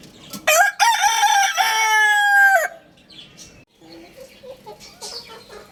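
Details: Rooster crowing: one loud, harmonic-rich cock-a-doodle-doo lasting about two seconds, rising sharply, holding a long level note, then cut off abruptly. Softer clucks and faint background bird chirps follow.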